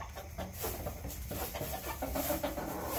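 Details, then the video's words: Backyard hens murmuring with soft, irregular clucks that build into a couple of clearer nasal notes near the end, set against constant low-frequency noise. "CHICKENS CLUCKING ASMR"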